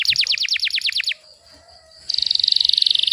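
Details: Canary tutor song in tight rapid-fire delivery: about ten quick descending chips in a second, a short quiet gap with a thin held tone, then a bright fast buzzy trill.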